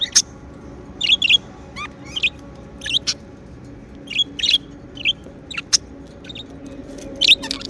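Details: Happy budgies at home utter scattered short chirps and thin squeaks, with a faint steady hum behind them.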